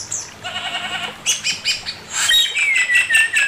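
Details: Male Chinese hwamei giving master song: a burst of rapid repeated notes, then loud, clear whistled phrases that slide downward, sung in quick succession.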